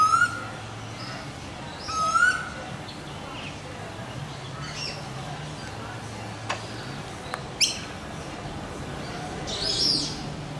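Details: Wild swamphens, two chicks with their parents, nesting in a turtle exhibit at a theme park on the Gold Coast, Queensland, Australia. Short rising whistled notes with harmonics come near the start and again two seconds later, then faint high squeaks. A steady low hum runs throughout.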